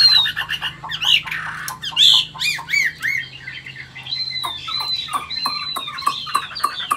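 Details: Chinese hwamei, an old wild-caught caged bird from Vietnam with a 'forest voice' song, mixes harsh, squawky notes with whistles. These turn into a string of repeated downward-sweeping notes.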